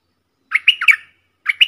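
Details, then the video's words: Bulbul kept as one of four decoy birds, giving a fast run of three rich, gurgling notes, then a pause and the start of another phrase, loud and close in a silent background. "เสียงต่อนกดอกแตงEp.68 เสียงต่อจากป่าจริงๆ นกต่อ4ตัว!!! Suara merbah lekir gacor"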